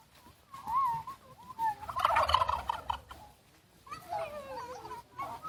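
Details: Turkeys showing off at Fort Edmonton Park, Edmonton, give a rapid, rattling gobble lasting about a second, with higher wavering yelps and squeals before and after it.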